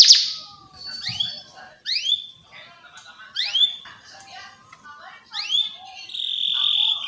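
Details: Canary (Serinus canaria) tutor song for young canaries learning to sing: a bright, high run of rising upslurred whistles, repeated about once a second, ending in a sustained buzzy trill.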